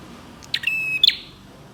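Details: Bar-winged prinia (prenjak) lure song meant to set other prinias singing: a single phrase opening with a sharp chip, then a level shrill buzzing tone and a bright closing note, over steady low noise.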